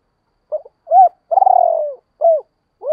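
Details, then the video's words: Spotted dove cooing, used to lure wild doves: a short clipped note, an arched coo, then a longer rolling, pulsed coo sliding slightly downward, followed by another arched coo, over a silent background. "tiếng chim cu gáy kích bổi và tập mồi hiệu quả, tiếng gáy gọi dục bổi rất xiêng gáy"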